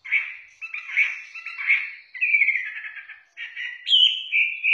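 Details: Chinese hwamei, a songbird from southern China, singing a run of clear warbled phrases, each rich and slightly wavering, some sliding up to higher sweet whistles near the end; clean recording without background noise.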